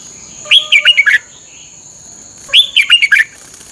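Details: Caged-bird training recording of a Red-whiskered bulbul from Thailand, two rapid warbling phrases of several rising and falling whistled notes separated by a short pause, over a constant thin high-pitched hum.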